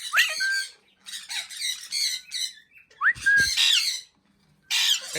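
A parakeet chatters in harsh, squawky bursts of speech-like syllables, with quick rising whistles slipped in, in three rapid phrases separated by short pauses.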